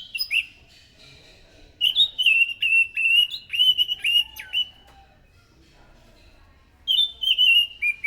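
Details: Scaly thrush in loud song, used as a lure: a long run of rapid whistled and slurred notes from about two to five seconds, some sharply dropping, then a further whistled burst near seven seconds.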